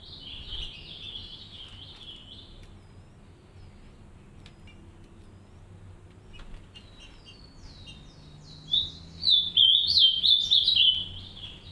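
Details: In an aviary where a green-winged saltator pair tends three chicks, soft high twittering opens, a long quiet stretch follows, then a louder run of rapid, squeaky, jumbled notes closes.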